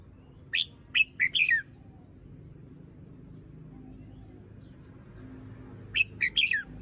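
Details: Young red-whiskered bulbul kept in a cage, performing song phrases in the morning: a quick run of four sharp whistled notes, a long quiet pause, then the same four-note phrase again.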